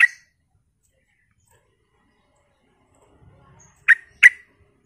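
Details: Sooty-headed bulbul, a lively 'gacor' lure recording meant to make other bulbuls answer: one short harsh note, a pause of nearly four seconds, then two quick clipped notes in a row.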